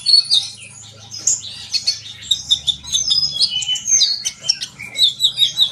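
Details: Sunbird song with bright, high whistles and squeaky twitters in short phrases, played to get young birds singing; a low hum runs underneath.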